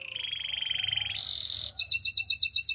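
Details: Spanish Timbrado canary holding a long rolling trill that jumps abruptly higher, then breaks into a loud pulsing series of clipped double notes.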